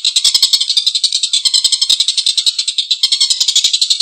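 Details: Harsh, rough laughing call of a collared kingfisher, delivered as a fast run of scratchy, high, buzzy notes about three to four per second, unbroken for four seconds.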